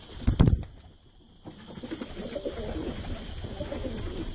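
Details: Domestic pigeons kept for sale: after a sharp knock near the start, low rumbling cooing runs through the second half, over a steady background hum.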